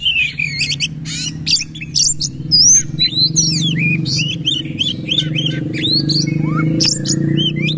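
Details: Kacer, the oriental magpie-robin, in forceful bowing-style song: rapid varied whistles, slurred upward and downward notes and dry clicks, over a steady low droning hum.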